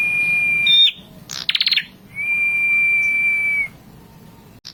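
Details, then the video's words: Red-headed prinia song, meant to rouse rival birds: a long, level, high whistle, a rapid stuttering run of about six bright chirps, then another drawn-out flat whistle lasting over a second. "SUARA BURUNG PRENJAK KEPALA MERAH GACOR! AMPUH NAIKKAN EMOSI LAWAN!"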